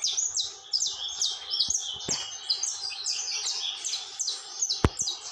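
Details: Saffron finch song delivered nonstop, a busy run of high, sharp, twittering notes packed closely together, with a couple of loud clicks.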